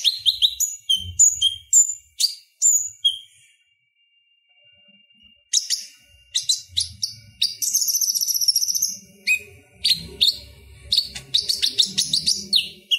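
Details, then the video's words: Purple-throated sunbird in lively chattering song used as a tutor for other songbirds: sharp high chirps and whistled notes in bursts, then a long buzzy trill and rapid clicking phrases after a brief pause. "Suara Ocehan Konin Gacor Tajam Ampuh Buat Masteran Kolibri Ninja | Purple-throated sunbird"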